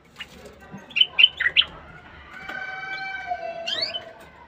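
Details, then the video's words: Caged bulbul singing to stimulate the female to mate: four loud, short, bright notes in quick succession, followed by a quieter steady tonal hum and a brief rising sweep near the end. "تغريد البلبل 🐦 لتحفيز الأنثى على التزاوج."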